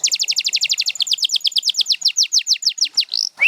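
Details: Canary singing a rapid trill of short descending notes that gradually slows and lengthens into spaced falling whistles, ending with a rising slurred note.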